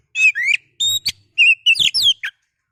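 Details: Kacer, the oriental magpie-robin, kept in a cage, sings to provoke another bird; short, clear whistles and rising slurs alternate with buzzy, rattling notes in quick succession.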